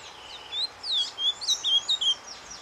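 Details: Ultramarine grosbeak (azulão) kept by breeders, giving a surdina, a soft quiet song used to warm up the breeding stock; a run of high, clear whistled slurred notes, rising and falling, in quick succession over a faint hiss.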